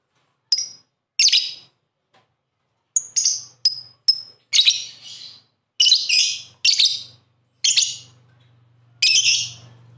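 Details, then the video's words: Lovebird song meant to coax silent lovebirds into singing: a rapid series of shrill, scratchy chirps and short whistled notes in uneven bursts, with a faint low hum underneath. "Pancingan Suara Burung Love Bird Terbaru"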